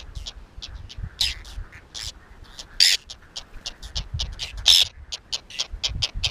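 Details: Whiskered terns tending nests in a colony among lotus and water chestnut, Astrakhan State Nature Reserve, Russia, 22 July 2017. Short, sharp, grating calls repeat over a low rumbling background, with a few louder harsh cries standing out.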